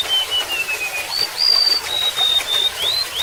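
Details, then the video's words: Golden-bellied gerygone giving thin, pure whistles that drift downward, then rise again into higher sustained notes and an upslurred ending, with gently splashing water behind. "SUARA BURUNG REMETUK LAUT"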